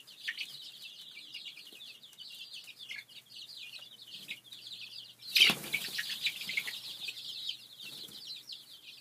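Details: Brooder coop full of domestic chicken chicks raised for egg laying: constant high, thin peeping from many birds, interrupted midway by a brief loud rustling burst, then the chorus of cheeps continues.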